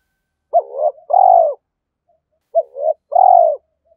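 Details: Spotted dove in the "thổ" voice style, calling to stir up a decoy bird; two matching phrases about two seconds apart, each a quick warbling note followed by a longer, slightly falling coo.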